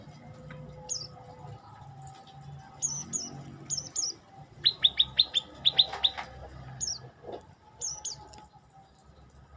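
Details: Olive-backed tailorbird singing: scattered high, thin notes, then a rapid burst of about eight sharp descending chips midway, followed by more spaced high notes, over quiet background.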